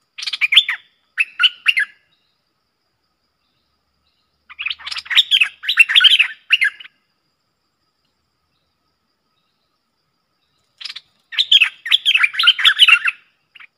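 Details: Dueling streak-eared bulbuls, a pair singing hard at each other, lure recording dated 30 October 2021: three separate bursts of quick gurgling phrases, each about two seconds long, with long silent gaps.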